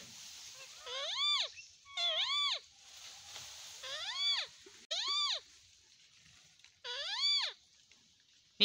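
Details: Ringneck parrot giving five loud, arched calls over about eight seconds. Each call sweeps up and then down in pitch with a rich, screechy harmonic tone, separated by pauses of one to two seconds, against soft background hiss.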